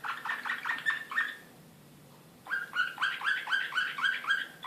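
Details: Serbian Slavujar canary singing excitedly in Belgrade, 2016: quick, evenly spaced chirped syllables, a second of silence, then a renewed rapid run of similar bright, looping notes.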